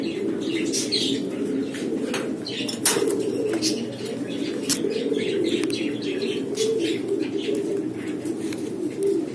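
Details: Barless blue Lahori (Siraji) fancy pigeons coo in a steady, low, overlapping murmur, with sharp wing claps and flutters breaking through now and then.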